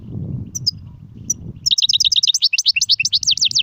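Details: European goldfinch: low background rumble, then a rapid series of sharp high repeated chirping notes, rising and falling over about two seconds.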